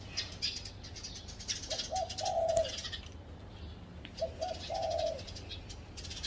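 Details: Spotted dove perched in a home tree, giving two low cooing phrases about two and a half seconds apart, each short notes then a long coo, over a high buzzing insect background.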